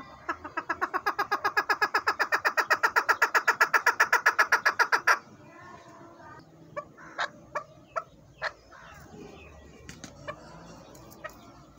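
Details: Excited calling of a male desi chukar breeder from Haripur Hazara, a hunting voice: a fast, steady run of loud, harsh chuk notes for about five seconds, then silence broken by a few scattered clicks and soft notes.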